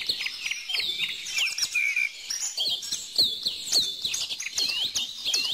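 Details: Clear whistled phrases from several birds, including sweeping slurred notes and short bright chirps, standing out over a softer twittering chorus.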